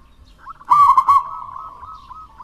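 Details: Local wild-type zebra dove singing to prompt reluctant doves: a loud burst of rolling, trilled coos lasting about half a second, then a long soft steady coo trailing away.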